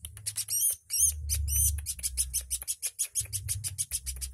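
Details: A very vocal woodpecker, in a recording meant for tutoring other birds, delivers fast, dry, high-pitched ticking notes, about three per second, with a few slurred, squeaky chirps near the start, over a low background hum.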